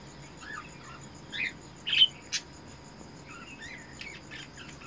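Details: Mating call from a caged Eno red-eyes cockatiel breeder pair while breeding: a few soft chirps, then a cluster of three louder, rasping calls close together, followed by fainter wavering whistles.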